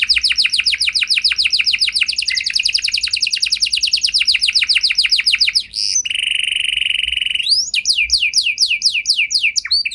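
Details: Singing canary used to provoke other canaries to answer: long rapid chattering trill of repeated notes, a brief break, then a sustained pure whistled tone, followed by quick sweeping phrases.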